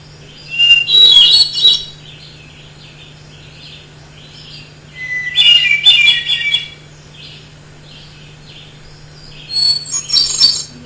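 Hermit thrush singing three separate ethereal phrases about four seconds apart, each a clear opening note followed by a rising, flutelike tumble of high notes.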